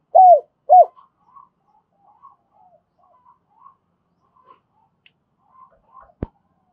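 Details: Spotted dove kept as a decoy, calling to provoke wild doves: two loud, arched coos at the start, followed by faint scattered chirps and a single sharp click.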